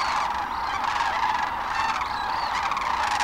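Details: Crowd of sandhill cranes at their North Platte River roost in Nebraska on a March 2012 morning; loud overlapping rolling calls in a thick wall of sound, with several trilled notes rising above the din.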